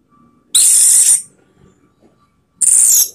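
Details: Orange-headed thrush song used as a lure to provoke rival birds: two brief, very high, loud whistled bursts about two seconds apart, with near silence between them.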